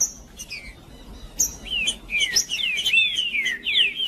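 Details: Green-winged saltator singing, played to make males sing and get fired up: loud rich whistled phrases, sliding down and up, rolling on without pause after a few sharp high chirps, with steady low background hum.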